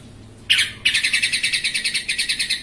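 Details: Yellow-vented bulbul used as a lure recording meant to provoke other bulbuls into singing: a burst of harsh, high chattering, then a rapid steady series of about fifteen buzzy pulses over two seconds.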